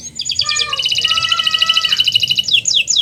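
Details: Canary master recording used to coax non-singing canaries into song: a fast dry rattling trill of rapid repeated notes with a thin steady whistle beneath, ending in a few quick downslurred notes.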